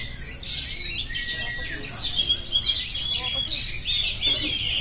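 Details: Nonstop oriental magpie-robin song, with high bursts of trilled and whistled notes in clusters, a few lower stacked notes, and a steady hiss beneath.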